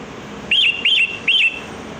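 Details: Sooty-headed bulbul lure call for attracting wild birds: three evenly spaced liquid whistles, each arching up and falling into a short level tail, delivered briskly over a low hiss.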